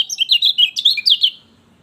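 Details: Brief burst of lemon-bellied white-eye song, meant to stimulate a bird reluctant to sing: quick high twittering notes, about eight in just over a second, ending abruptly into quiet.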